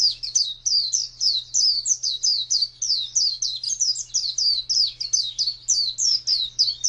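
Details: Oriental white-eye in ngalas wild-type song: bright, rapid, warbling chain of high slurred notes, roughly three to four per second, flowing continuously, with a low steady hum behind.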